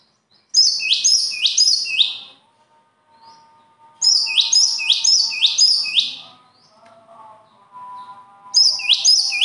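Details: A bird repeats a shrill phrase three or four times in fast succession. It sings three such bursts with short silences between them, over a soft low hum.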